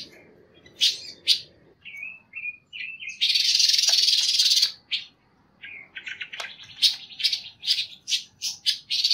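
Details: Panca warna song used for training other songbirds: short high chirps, a run of thin whistled notes, then a loud buzzy burst lasting about a second and a half, followed by quick bright chirps and trills, over faint low background hum.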